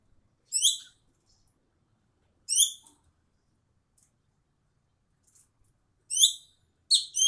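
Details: Ekek keling (Javan bee-eater) calling: single short upslurred chirps spaced two to three seconds apart, then two quick ones close together near the end, with near silence between.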